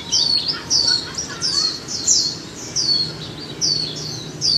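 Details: Caged Japanese white-eye, one month in a cage, singing a run of high, thin twittering phrases, each a quick falling or looping squeak, strung in bursts roughly every half second over a faint low hum.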